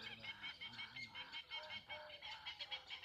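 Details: Many birds at Lonar Lake calling together: a continuous chattering chorus of overlapping high, nasal notes pulsing several times a second, with lower honking sounds mixed in, heard from some distance.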